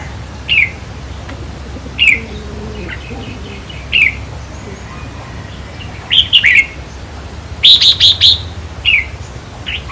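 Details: Red-whiskered bulbul sounds used in decoy trapping to excite caged birds: spaced single rising chirps every two seconds, then several quick warbled phrases and a rapid series of high notes, with faint low calls from other birds.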